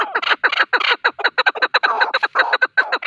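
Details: Male partridge calling, a recording used for hunting: a fast, steady run of harsh, clucking chuck notes, about eight per second without pause, a rough rattling chatter with no other sounds.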